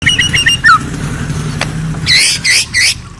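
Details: White-rumped shama calling at night: a quick series of short whistled chirps, then a downward slurred note, followed by three loud buzzy, harmonic-rich bursts near the end over a steady low hum.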